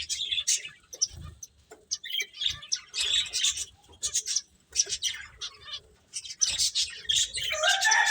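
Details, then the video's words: High, short chirps and buzzy twitters from finches at play come in uneven bursts, ending in a louder, lower-sliding call. "Cute Birds Chirping Sounds | Beautiful Finches Playing"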